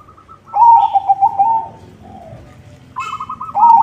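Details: Actively singing white zebra dove, a lure for other zebra doves: loud, fast, rolling coos in a rhythmic series, a quieter pause, then another bright run of stuttering coo notes.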